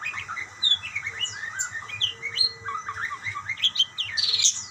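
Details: Budgerigars chattering back and forth: rapid warbled chirps and curved whistles, fairly constant, ending in a louder raspy squawk.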